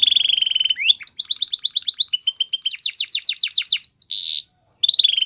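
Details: Canary delivering a continuous song: a rolling trill, rapid chirping runs, a buzzy pulsed section, a brief loud harsh note, then another trill.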